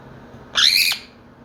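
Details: Pet Quaker parrot (monk parakeet), one of a pair kept indoors and practising noise-making and mimicry, gives one loud, harsh squawk, a grating burst lasting under half a second.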